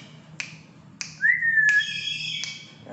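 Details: Tame, talkative black-capped lory gives a single upslurred whistle that levels off, framed by sharp clicky squawk bursts and a short harsh note, with a low hum behind.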